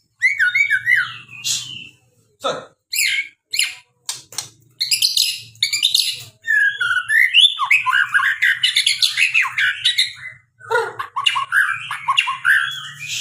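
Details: White-rumped shama delivering a full variation song: long dense stretches of mixed whistles, squeaky chatter and harsh rasps, interrupted by short silences, with a faint low hum beneath.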